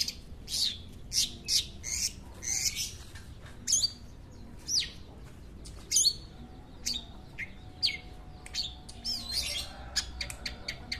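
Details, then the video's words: Long-tailed shrike singing at a community bird event; a long sequence of harsh, raspy high notes and clipped chirps in irregular bursts, with a faint low hum beneath. "mainan cendet"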